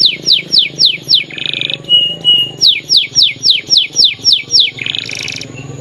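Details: Lively canary song mixing rapid downward-sweeping notes with short buzzy rattles and a brief steady whistle, then another quick series of descending notes and a harsh buzz; faint low background hum.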